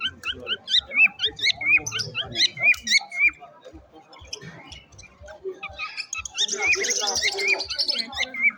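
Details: A parrot sings with rapid repeated curling whistles and squeaky chirps, then bursts into a harsher, hissing high screech before returning to short whistled notes.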